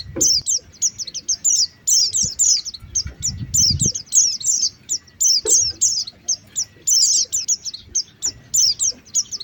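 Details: Oriental white-eye calls recorded in Indonesia for luring birds: thin, high chirps and short twittering bursts in quick irregular series, several overlapping, with soft low thumps and rustling underneath.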